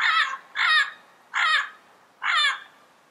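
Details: Wild yellow-headed parrot giving four harsh, raspy squawks, each about a third of a second long with a rough, buzzy tone, spaced unevenly over three seconds against a quiet background.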